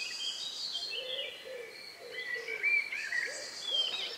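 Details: Evening countryside recording from May 2, 2020, near 9 p.m., a few minutes before nightfall. Distant warbling birdsong sits over a run of soft, low, rounded notes repeated every half second or so, with sharper whistles near the end.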